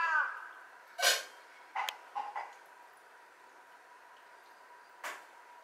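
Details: A large-billed crow on a power line in Japan, early morning of 23 August 2023, calling with altered calls: about five short, harsh, hoarse caws at an uneven pace, three bunched together, one after a long pause, over a faint hum.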